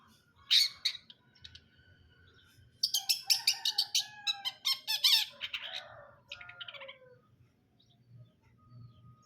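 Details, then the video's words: Long-tailed shrike, cendet brundol, opening with a few harsh notes, then a dense fast sequence of scratchy chatters and slurred descending whistled phrases before fading into quiet. "KICAUAN CENDET BRUNDOL"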